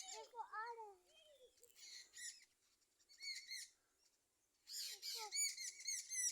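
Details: Sparrows chirp in the morning in bright, short bursts, several notes a second, coming in clusters with brief pauses. Lower, voice-like sounds open the clip.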